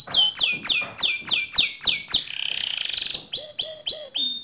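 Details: Canary singing to teach other canaries: a steady series of loud descending whistled notes about four per second, a brief fast buzzy trill, then more swept whistles.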